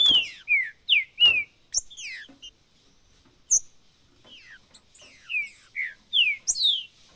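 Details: Green-winged saltator song in the macheado style, played to stimulate a caged bird: clear whistled notes sliding downward, in short phrases with clicks between and a quiet gap midway.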